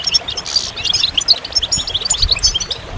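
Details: High, scattered twittering and chirps of goldfinch song, somewhat thinner and more broken than a full phrase, over a faint low background hum.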